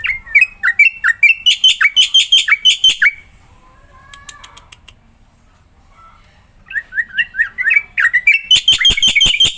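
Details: A black-winged myna (Javan white starling) singing vigorously, used to prompt other mynas to sing. It gives loud, rapid runs of repeated chattering and whistled notes, about three per second, then pauses for several seconds before a second burst.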